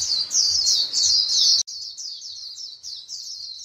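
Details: White-eyes in a flock calling to each other: loud, busy high twittering for about a second and a half, then an abrupt cut to softer, sparser thin chirps repeated roughly three times a second.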